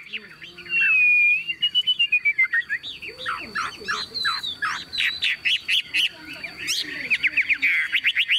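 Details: Caged tame Chinese hwamei, cage carried by hand and shaken, opens with a long wavering whistle, then bursts into rapid harsh chattering notes and clicks in a fast dense stream.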